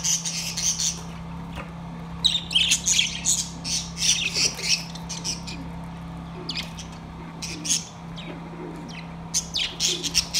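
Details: Budgerigars in a cage recorded September 2, 2023, singing: long stretches of excited, scratchy chirping and squawky warbling in repeated bursts, separated by brief pauses, over a continuous low hum.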